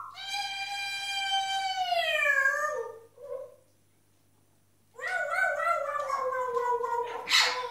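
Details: Four pet grey parrots making a weird sound: a long, tonal, meow-like wail sliding slowly downward, a short pause and silence, then a second harsher wail rising into scratchy noise.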